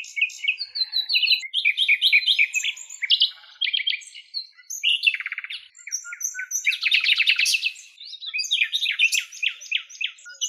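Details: In Greek countryside, a wild common nightingale delivers varied song phrases, rapid repeated notes, buzzy rattles, liquid trills and sharp whistles, switching pattern every second or two with short pauses between.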